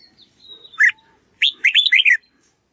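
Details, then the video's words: Red-whiskered bulbul singing as a tutor for young white-cheeked birds: a faint drawn-out thin whistle and one sharp note, then a rapid burst of five looping, warbled syllables. "Chào mào luyện giọng cực hay để ép chim má trắng học giọng"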